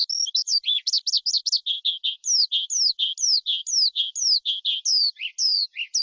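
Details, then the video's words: Forest skylark delivering a run of repeated down-slurred whistles, about two per second, mixed with short chirps and occasional lower notes, steady and clean throughout. "Tiếng Chim Sơn Ca Rừng Hót Hay Nhất"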